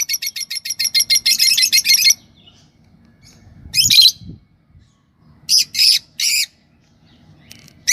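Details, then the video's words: Yellow Fischer's lovebird pair chirping and singing: a rapid string of high chirps rising into dense chatter for two seconds, a harsh squawk near four seconds, then three loud rasping notes and a final call. "Lovebird Singing & Chirping Sound – Yellow Fisher Pair"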